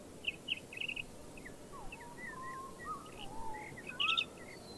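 European goldfinch giving a run of quick, tinkling twitters and short slurred whistles that rise and fall in pitch, over a steady low background hiss.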